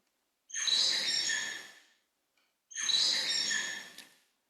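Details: Bengalese finch song, played to show slight pitch variation in the fifth syllable; two long, harmonic-rich, slightly noisy syllables, each about one and a half seconds, separated by a short silence.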